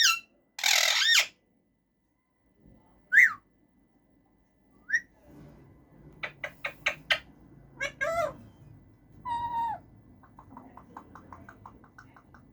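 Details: Male Alexandrine parakeet in a cage making different sounds: harsh bursts, rising whistles, a clear falling whistle, then a quick rattling series of clicks, with a low background hum throughout.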